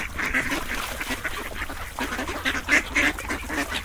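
Ducks quack in a busy, overlapping chorus of harsh nasal calls, several each second, with louder bursts toward the end.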